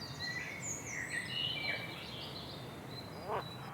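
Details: A singing bird gives short clear whistled notes and thin rising and falling slurs at high pitch, closely spaced but irregular, with one brief lower buzzy note near the end over steady low outdoor noise.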